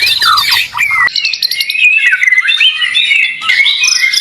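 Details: White-rumped shama, a fighter bird suited to singing contests, pouring out a loud, continuous, varied song of sliding whistles, rapid chattering phrases and harsh scratchy notes mixed together.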